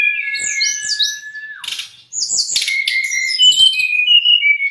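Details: A brown-chested jungle flycatcher sings for caged birds, young or stressed. A long steady whistle over high chirps gives way to a brief pause. Then come dense buzzy notes and fluty slurred phrases.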